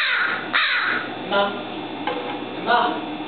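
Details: A captive American crow (Corvus brachyrhynchos) at the Randall Museum, San Francisco, unable to survive in the wild, caws at visitors: four harsh, hoarse caws about three-quarters of a second apart over a low hiss.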